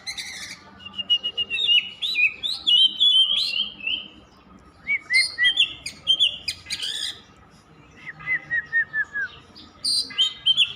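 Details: Endless singing from an Oriental magpie-robin, fast sequences of sweet whistles and sliding notes in several bursts, a quieter pause in the middle before the song resumes.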